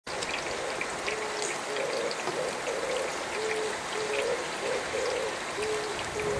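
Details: Oriental turtle dove (Streptopelia orientalis) singing early in the morning while wet in the rain: low, hoarse cooing notes in a steady rhythmic phrase, about two notes a second, over the constant hiss of falling rain.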